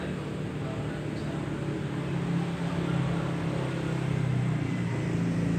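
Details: Steady low engine rumble from a vehicle with faint background voices and no animal sounds.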